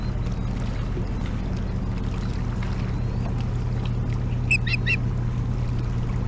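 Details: Osprey at Hog Island, Bremen, Maine, on September 12, 2017, calling for fish as its mate answers and brings one. A quick burst of sharp, high, piercing chirps near the end rises over a steady low hum and wind.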